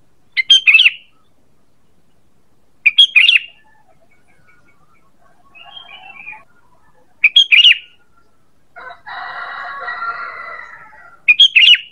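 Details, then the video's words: Sooty-headed bulbul lure calls, used to attract birds: short bursts of two or three bright chirps repeated every three to four seconds, with faint twittering and a patch of broad rustling noise between them. "Suara PANGGILAN dan pikat ampuh burung KUTILANG"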